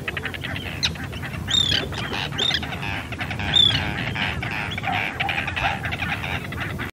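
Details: Arctic tern (Sterna paradisaea), field recording: three loud, harsh calls with high downward-slurred tops spaced about a second apart, then softer scratchy notes, over continuous outdoor noise.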